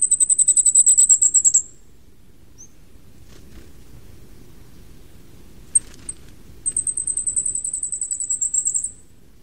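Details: Two quick trills of thin, extremely high notes from a Flamecrest, endemic to Taiwan's mountains, open and close the recording. The middle is quiet apart from a couple of sharp clicks.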